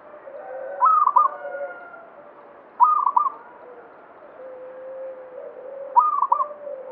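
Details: Banyumili-style song of a local zebra dove singing actively: three clear phrases of rapid, broken cooing notes about two and a half seconds apart, over quieter, lower, sustained coos.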